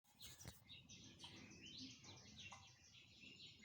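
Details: Several birds singing in the morning, a dense overlapping chorus of high chirps and short twittering notes, with a sharp click near the start and a low background rumble.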